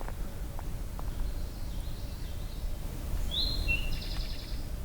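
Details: Near dusk on a trail toward Hector Falls in the Tionesta Scenic Area, Allegheny National Forest, Pennsylvania, an Eastern Towhee gives its drink-your-tea song: a clear higher note, a shorter lower one, then a fast buzzy trill, over a steady low rumble.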